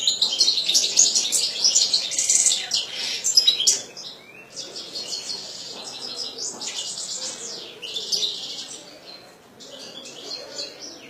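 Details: Pet European goldfinch in a cage with a long song: a loud, dense tinkling twitter first, then repeated buzzy drawn-out trills and chirps that fade gradually.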